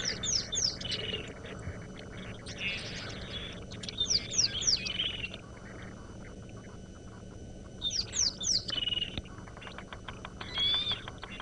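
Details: Bearded woodpecker (Chloropicus namaquus) calling at sunrise on 31 December 2017, Sabi Sand, South Africa, from atop a large dead tree: short bursts of sharp, high, down-slurred notes every two to three seconds over a steady low safari-vehicle engine rumble.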